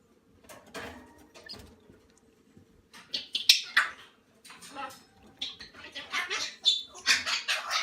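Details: Salmon-crested cockatoo chicks under a month old: quiet at first, then a fast series of loud, breathy rasping squawks in quick succession, with a faint human voice.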